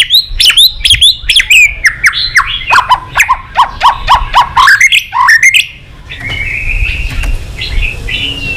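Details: White-rumped shama in full excited song with tail flicking. A fast series of sharp descending whistled notes, roughly three each second, gives way to a softer warbling phrase.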